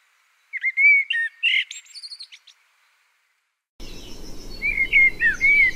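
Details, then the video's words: Two blackbird song phrases: the first a fluted warble with a high squeaky ending and a trailing sequence of fading twitters on silence; after a pause, a second whistled phrase over faint outdoor hiss. "O Canto do MELRO PRETO (Turdus Merula) Bird Song - Blackbird, Mérula"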